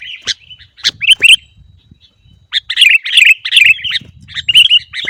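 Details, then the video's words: Kutilang, the sooty-headed bulbul, kept as a cage bird and used to spur others into singing: a few sharp single chips, then lively bubbling, slurred chatter with faint low knocking underneath. "masteran Burung Kutilang Agar Cepat Bunyi Dan Gacor"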